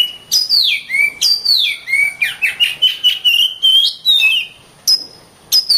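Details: Oriental magpie-robin singing for masteran, training other songbirds: rich, fast whistled notes tumbling downward, then a rapid chattering run of rising slurs, ending with a few isolated high whistles after a short pause.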